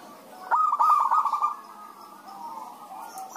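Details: Zebra doves answering each other to lure other doves into singing: one loud, rapid run of rolling, trembling coos, followed by a quieter, lower coo and the start of another phrase.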